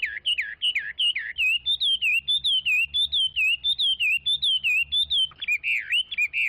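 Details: Fast, insistent song from a Chinese hwamei: dozens of ringing upslurred whistles repeated several per second, ending in lower twisting notes, with a faint low hum behind.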